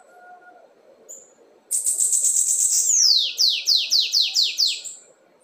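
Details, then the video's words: Lined seedeater with a red band performs the 'assobio com belga' whistle song: a sustained high, slightly trilled note bending down, followed by seven crisp descending strokes repeated at a steady clip. "sibite anilha vermelha na cantoria assobio com belga"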